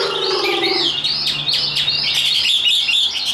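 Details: Tame, hand-carried caged Chinese hwamei, kept as a fighting bird, singing high: a low buzzy harmonic note at the start, then a run of loud arched whistles and sharp downslurred notes, ending in quick rippling phrases.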